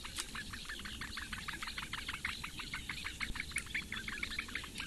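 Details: Eurasian bittern chicks, four in a reedbed nest at Lake Engure, Latvia, begging during a morning feed by the female on 15 May 2017; dense run of quick clipped chirps repeating several times a second against a low rumbling backdrop.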